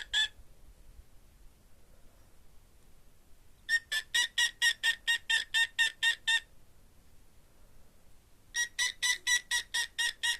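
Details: A female pet cockatiel responds to the owner's finger movements with bursts of rapid, harsh chirping notes, about five per second, separated by pauses.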